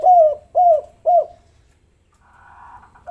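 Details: Spotted dove used as a lure to get lazy doves calling: three arched coos repeated about every half second, then a faint higher tonal hum.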